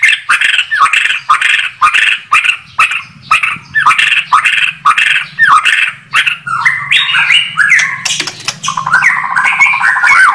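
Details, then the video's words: White-rumped shama repeating a short burry note in a steady series, then breaking into varied rising phrases and a rapid trill, with a low hum in the background. "Kicau Burung Murai Batu"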